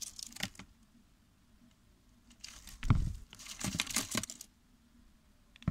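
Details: Indoor rustling, crumpling and tearing sounds with a few thumps come in short bursts between quiet gaps, and no animal call stands out.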